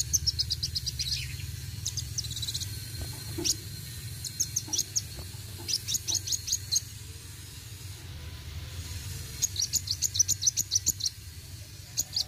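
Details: Sunbird known locally as kolibri wuling, performing gacor roll tembak song: repeated rapid-fire rolls of high, needle-thin notes in several bursts separated by brief pauses, over a low hum.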